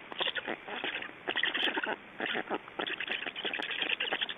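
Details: Estonian black storks at a feeding on 8 June 2012, heard as bursts of harsh, throaty chattering, each lasting under a second with short gaps between them, gritty and rapidly pulsed throughout.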